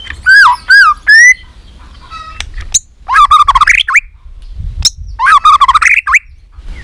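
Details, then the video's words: White-rumped shama in competition fighting song: a few looping whistled notes, a pause, then two dense bursts of tumbling, warbled phrases with harsh edges. "kích lửa 3 mùa yếu lửa hót đấu lên lửa.chòe lửa nết đập xoay chớm lửa hót đấu"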